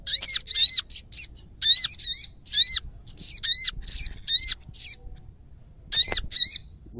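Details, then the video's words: Prinia calling in Indonesia, in a bird-trapping context: a dense run of high arched notes alternating with rasping buzzy bursts, a short pause, then a few more notes, against quiet low background noise. "prenjak bawah"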